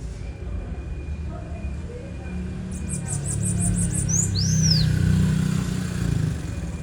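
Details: Bananaquit singing: a brief burst of about eight rapid, very high ticking notes followed by a couple of thin downslurred whistles, over steady low rumbling background noise.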